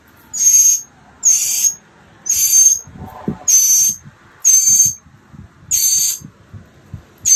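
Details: Mockingbird chicks nearly ready to leave the nest, March 28th 2022, day 15 of a nest project: seven rasping, hissy bursts at about one per second, with low thumps and rustling underneath.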